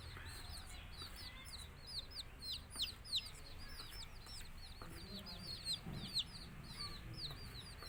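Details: Many baby country chickens (nattu kozhi), Tamil, peeping together: high, shrill, falling chirps overlapping in a busy stream, with faint low rumbling noise in the background.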